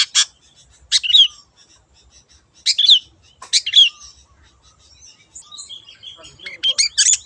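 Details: Long-tailed shrike in the wild, lure song: jumbled phrases mixing scratchy rasps with quick twittering and whistled slurs, separated by short gaps.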